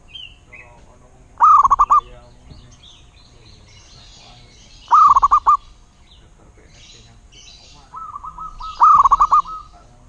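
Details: Local Zebra dove singing three rolling coo phrases spaced about three and a half seconds apart, each a fast string of bubbling notes, with softer repeated cooing leading into the final phrase.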